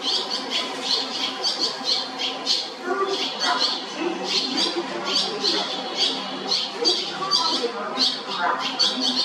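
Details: Nestling barn swallows at a railway station building at Shinodayama, Japan, begging with continuous shrill, rasping squeaks in quick clustered bursts, the brood calling over one another against a low background murmur.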